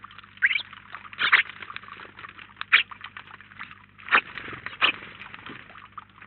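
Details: House sparrows, a flock of about nineteen at once at a feeder in Collado Villalba, Spain, where they are the most frequent species; dense overlapping chirps and chattering with louder bursts near 1.3, 2.7, 4.2 and 4.9 seconds over a low steady hum.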